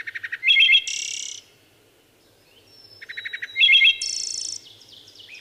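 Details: Singing wood thrush gives two full phrases about three seconds apart, each opening with quick low stuttered notes, then a liquid fluted middle and a bright, high, buzzy trill to close.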